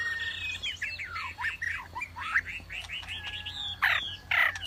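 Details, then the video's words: Wambi singing an energetic run of looping, slurred whistles and quick chirps, rising and falling in pitch, ending with two sharp, loud raspy notes, with a constant low background hum. "SUARA KICAU WAMBI GACOR"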